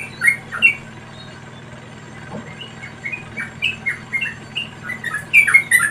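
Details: Wild Yellow-vented bulbul chicks begging while an adult feeds them: quick, squeaky chirps and thin high squeals, growing faster and more excited toward the end over a soft low hum.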